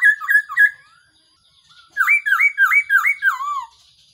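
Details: Black-throated laughingthrush, its call used to lure birds into traps: three short whistled notes, a pause, then five hooked rising-and-falling notes ending in a long descending slur.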